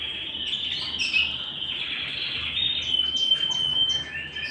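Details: Canary song at home: a continuous rolling trill that swells in loudness, with brief thin whistled notes threaded through it and a quiet background hum.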